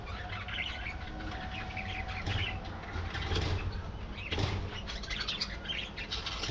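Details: Budgerigars in a colony aviary, a busy overlapping chorus of chirps, warbles and chattering twitters from many birds, with bursts of wing flapping and a steady low hum underneath.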